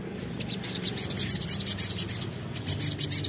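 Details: Crimson sunbird singing a continuous 'tembakan' burst meant to provoke untrained birds into song: a fast, very high, sharply pulsed trill of thin chirps running almost three seconds, with faint low background humming.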